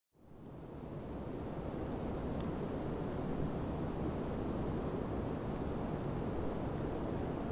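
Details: Strong wind roars against the microphone throughout, with no animal call.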